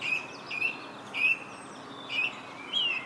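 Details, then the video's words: Song thrush singing in Herttoniemi: five clear whistled notes, each slightly rising then falling, repeated about every half second against a steady background hiss. "Laulurastas Herttoniemessä"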